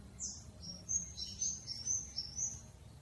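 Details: Female crested jay calling the male: thin, high, steady whistled notes, a short rising note followed by a row of brief level tones about every quarter second, over a soft low background hum.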